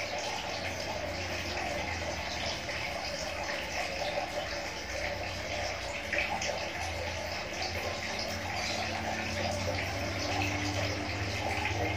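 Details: Steady running water, like a tap or filling basin, with a low hum and no clear animal call.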